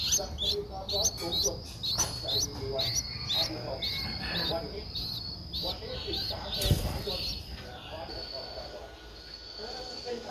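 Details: Streak-eared Bulbul nestling, 11 days old, recorded 13 April 2023 in Ubon Ratchathani, Thailand: quick high chirps in an uneven series for six seconds, then a sharp click and quieter background hum.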